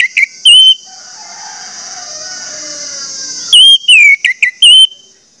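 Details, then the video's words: Orange-headed thrush song meant to prompt other orange-headed thrushes to sing quickly: a couple of loud whistled notes, then a long steady high buzzing tone for about three seconds, then a fresh phrase of four or five sharp whistles. "pancingan anis merah bikin anis merah lain cepat ngeplong"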